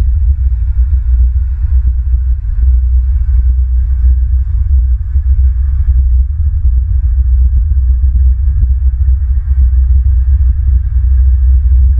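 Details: Only steady, heavy low wind rumble with crackling buffeting is heard, with no animal calls.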